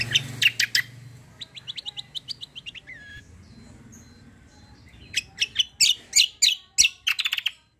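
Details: Kecial kombo white-eye, a loud fighter-type singer, running a long series of high twittering notes and whistled slurs, then ending with a fast burst of loud repeated chips.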